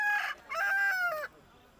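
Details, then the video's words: A rooster crows twice in quick succession: a short harmonic opening note, a brief pause, then a longer sustained tone that falls away at the close, with little background noise. "A rooster stands and plays and makes noise"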